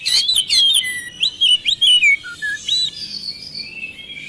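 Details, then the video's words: Oriental magpie-robin, a caged songbird, in a lure recording for coaxing a reluctant bird to answer; rapid sharp chips give way to varied whistled slurs and a few lower notes, fading into a thin sustained tone. "pancingan kacer malas bunyi mudah ikut nyaut gacor"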